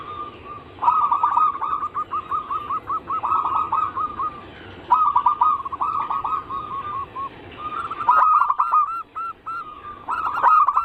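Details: Anggungan song of zebra doves, played as a lure to set other zebra doves singing: three long bursts of rapid, bubbling coo notes at a steady pitch, each breaking into a chattering roll, with brief pauses and sharp clicks between bursts.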